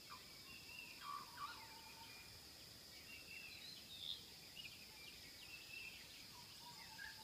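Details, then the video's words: Wild bird song on Adam's Peak, Sri Lanka: scattered thin whistled notes and short slurs at mid to high pitch, some rising, others dropping, over a constant high-pitched hiss and steady background noise. "Beautiful bird song"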